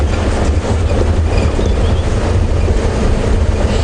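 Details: A loud, deep vehicle engine rumbles throughout, with no animal voice heard.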